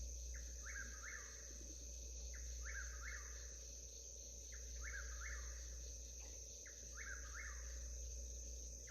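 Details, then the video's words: Southern whip-poor-will calling on a homestead in the historical Alabama Black Belt: repeated three-part whistled phrases, each rising then dropping, given in quick series with short pauses, over a steady high insect drone. "the sound of a southern whippoorwill in the historical Alabama Black Belt."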